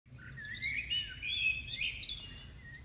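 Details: Birds singing in front of a house after rain on a May evening in 2015: a continuous thin, twittering warble of high squeaky notes, over a steady low rumbling background hum.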